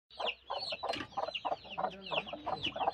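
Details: Broody hen giving a run of rapid, harsh clucks, each note a short, buzzy burst repeated several times a second, with higher squeaky overtones throughout.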